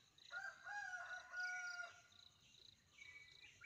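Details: Indian peafowl calling in Kerala, a loud nasal harmonic wail held for about a second and a half, then fading calls, with constant insect chirring behind.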